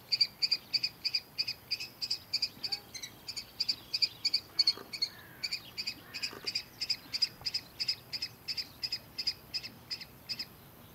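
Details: Juvenile common kestrel out of its barn nest box, on the ground at a farm in early morning, calling for attention: a steady run of shrill, high repeated notes, about three per second, continuing throughout.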